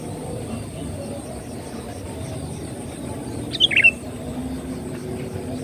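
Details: Lure song of a sooty-headed bulbul, meant to draw birds in: a single brief, liquid phrase of a few quick tumbling notes late in the recording, against a constant low background drone.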